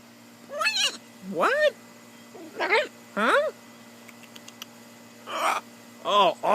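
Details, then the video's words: Blue-and-gold macaw jabbering on a person's shoulder: a string of short harmonic syllables, several arching up then down in pitch, spaced about half a second to a second apart, with one breathy burst near the end. "talking and jabbering (Macaw Talking, Parrot Talking)"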